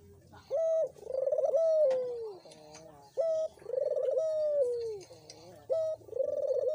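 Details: Collared dove cooing as a lure to prompt silent doves to call: low, rolling phrases, a short note followed by a longer purring coo, repeated roughly every two to three seconds.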